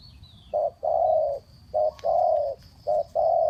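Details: Spotted dove giving fast cooing used to lure doves for trapping: a short mellow coo followed by a longer drawn-out coo, the pair repeated three times in quick succession, low and soft, with faint background hiss.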